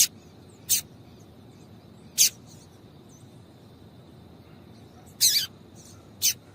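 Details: Calling female double-collared seedeater, used to stimulate the male. Five clipped, piercing high chirps are scattered unevenly through the recording, one slightly longer and doubled, over low background noise.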